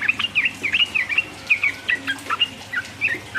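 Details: Sooty-headed bulbul singing to provoke opponents: spaced, liquid whistled phrases, each a quick up-and-down slur, about three per second, over a steady low background hum.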